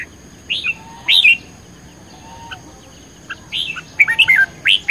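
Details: Red-whiskered bulbul in competitive singing, recorded 10 May 2020: bright, clear whistled phrases of short rising and falling notes, given in bursts separated by pauses of one to two seconds, with faint background chirps.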